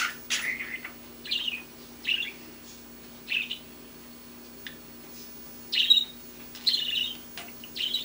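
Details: Young male pet budgerigar babbling while learning to talk: short bright chirps and scratchy warbled bursts come in separate phrases about every second, with quiet pauses between them, heard indoors against a steady low hum.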